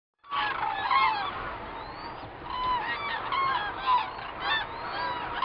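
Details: Common cranes filmed from a hide at Gallocanta on 2 February 2013 with a Nikon D300s camera. Many birds give loud, harmonic trumpeting calls that overlap into a dense, continuous chorus, with some calls rising and falling in pitch.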